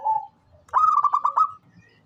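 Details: A local-type zebra dove, said to call tirelessly and serve as a lure, ends a low steady coo and follows with a bright run of five or six clipped pulsed notes.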